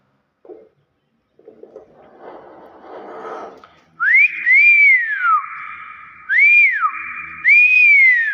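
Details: Common hill myna, shown in its natural voice: loud clear whistles that rise and fall in arched sweeps, four main phrases spaced about one to two seconds apart after a soft rustling start.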